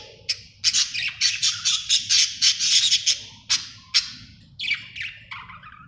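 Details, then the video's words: Budgerigar in a happy mood giving a fast series of loud, harsh chirps, about two a second, breaking into rougher squawky notes and a few falling warbles toward the end. "Happy budgie chirping sound"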